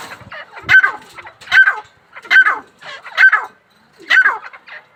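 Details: Grey francolin giving a steady series of sharp, high calls, roughly one burst each second, each a short cluster of ringing notes. The background is quiet.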